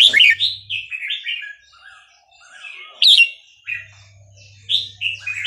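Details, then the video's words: Burmese local song of a red-whiskered bulbul, used for teaching young birds: short liquid warbling phrases, rising and falling, in separate bursts with brief pauses and a faint low hum. "นกกรงหัวจุกเพลงถิ่นพม่า 3-4-5-6 เปิดสอนลูกนก"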